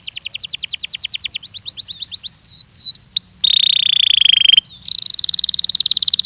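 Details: Belgian canary singing in a training recording: quick stuttered trill, slurred swooping notes, a long steady buzzy roll, a brief pause, then a fast high rattle.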